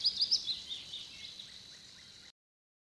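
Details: Eurasian penduline tit building its nest by a retention reservoir at Żelizna, April–May 2020. A few thin, very high notes come in a quick cluster at the start, then fade into a steady background hiss.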